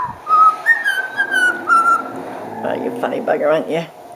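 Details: Pet male cockatiel (Nymphicus hollandicus) that whistles but won't talk whistles a short tune of clear, sliding notes, followed by a person talking.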